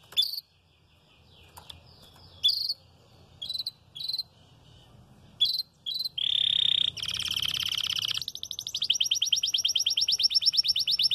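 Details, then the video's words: Red frosted canary singing early in its moult: scattered short sharp chirps separated by pauses, then a loud steady tour, a dense rolling trill, and a long fast pulsed trill to the end. "VERMELHO NEVADO, CANTANDO"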